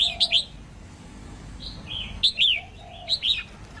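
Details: Female red-whiskered bulbul singing to stir males into song: three short bursts of bright, slurred whistled notes spaced about a second apart, with a soft lower whistle between bursts.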